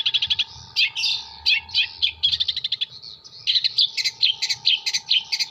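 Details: Jember long-tailed shrike delivering mimicked kuntilanak, sparrow and tengkek buto phrases: dense jumbles of scratchy, squeaky high notes in quick clusters with brief slurred whistles. A faint constant hum and low rumble run underneath.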